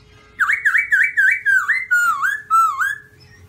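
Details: Rapid, rich whistled song from a white-cheeked black-throated laughingthrush (Garrulax chinensis): about eight bouncing, rolling notes in quick succession, each swooping up and down, with a faint hum behind.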